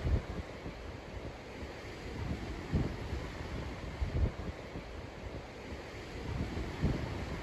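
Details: Gusting wind buffets the microphone on a coastal headland, producing low rumbling thumps and steady hiss with no animal calls.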